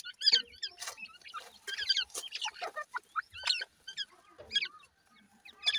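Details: Grey francolin (teetar) chicks feeding, giving many short high chirps and thin peeps, some rising or downslurred, in quick irregular clusters, mixed with sharp clicks and taps from feeding.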